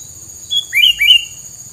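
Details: Short phrase of three clear, high whistled notes, the last two dropping steeply then flattening, from a bird whose filler song is said to keep rivals away; faint background hum.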